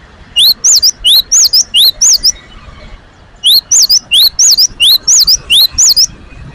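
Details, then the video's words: Newly caged great tit singing energetically: two bursts of clear whistled two-note phrases, each a rising then falling note, repeated rapidly about four times a second with a short pause between bursts, over a quiet background. "gelatik batu gacor"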